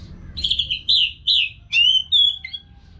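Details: Orange-headed thrush singing a clear run of whistled notes, several slurred descending phrases followed by a sharper rising whistle, a recording meant to prompt caged birds to sing along; faint low background hum.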